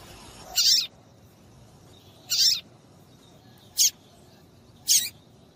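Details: Piercing calls of a female papa-capim seedeater, used to excite males into song: two fuller high notes followed by two short sharp chips, spaced between one and two seconds apart.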